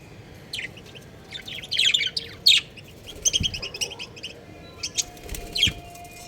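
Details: Pet budgerigars kept at home give a busy run of short, sharp, high chirps and chattering notes, bunched closely between two and four seconds, over a low steady background hum.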